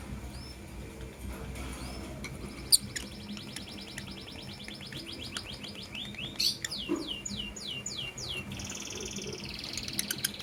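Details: Lovebirds, a blue opaline and a green personata, chirping in the morning: a fast series of high, evenly repeated descending chirps, a brief pause, then another rapid burst of sharp notes, over a low steady hum.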